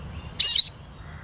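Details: One brief, loud Eurasian siskin note: a buzzy burst sliding down into a thin whistle.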